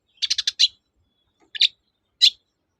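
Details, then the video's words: Long-tailed shrike in lively 'toet-toet' singing, used as a lure to get silent shrikes singing again: a rapid burst of four harsh buzzy notes, then two single rasping notes spaced about half a second apart, in silence. "BURUNG CENDET GACOR TOET-TOET, memancing cendet macet kembali gaco"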